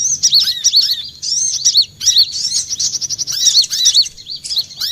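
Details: Olive-backed sunbird used as a trapping lure, quick high chattering chirps and rising-falling notes in bursts, roughly half a minute's rate of phrases.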